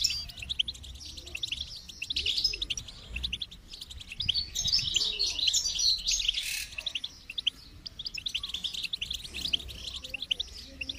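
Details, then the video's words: Goldfinch delivering continuous bright twittering song, rising into a dense burst of high tinkling notes midway, then thinning to sparse chirps. "Motivating Song of the Goldfinch"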